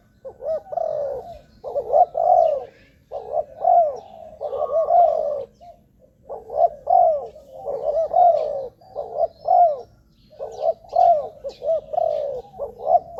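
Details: Decoy cooing of a spotted dove, used to attract wild doves. Continuous low, throaty phrases repeat roughly every one and a half seconds, each a quick lead note followed by a longer, descending coo.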